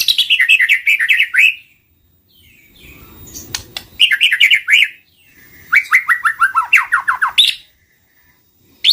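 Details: White-rumped shama song meant as a lure: three bursts of fast chattering, descending notes separated by pauses, with sharp clicking notes between them.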